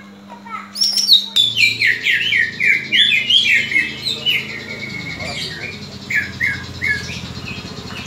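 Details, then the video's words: A greater green leafbird's aggressive fighting call, used to train rival leafbirds' fighting spirit. One high whistle opens, then a rapid run of downward-slurred chattering notes follows and gradually thins into spaced chips, over a low electrical hum. "CUCAK IJO TARUNG INI, COCOK UNTUK MELATIH MENTAL TARUNG CUCAK IJO LAIN"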